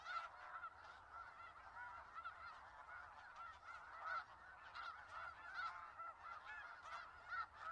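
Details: Flock of snow geese, Skagit Valley, producing a steady din of high honks and yelps, individual calls popping out every second above the background chorus.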